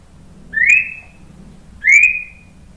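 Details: White-rumped shama responding to a lure recording with two clear, pure whistles about 1.3 seconds apart. Each one starts low, rises quickly, then holds steady and fades.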